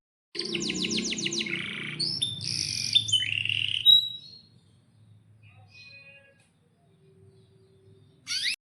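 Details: Canary singing vigorously with long rolls, used as a lure to make other canaries sing: four seconds of fast repeated whistled and buzzy trills that shift pitch between phrases, then near silence with faint low hum and a brief final burst.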